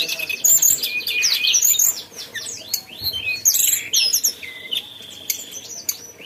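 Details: Mountain tailorbird singing a fast, busy string of thin, high chirps and whistles, with sweeping notes, a long level whistle near the middle and short sharp twitters, all very high in pitch.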